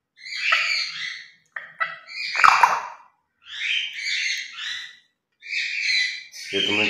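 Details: Grey parrots kept as pets chatter through their morning routine, mimicking human speech in rapid hoarse syllables, several clusters of word-like sounds broken by short pauses, one sharp click midway.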